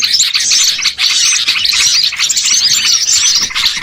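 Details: Lure recording of noisy small birds, meant to attract birds for trapping: crowded high-pitched chattering and sharp tweets packed together, with a brief dip in loudness near the one-second mark.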